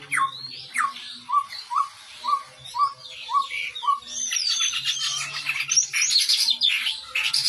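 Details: A Chestnut-rumped babbler singing actively gives a song of seven short, falling whistled notes about half a second apart, followed by a dense burst of bright chattering and chirps.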